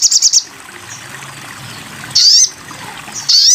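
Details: Crimson sunbird song for training other songbirds: a quick burst of high ticking notes, a pause with faint background hiss, then two bright, sharply rising whistled phrases.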